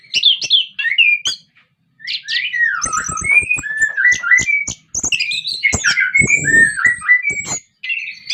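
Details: Orange-headed thrush (anis kembang) in Indonesia, used to lure other thrushes into singing, pours out a rich, fast song of slurred whistles, sweeping notes and mimicked chips, with brief pauses between bursts.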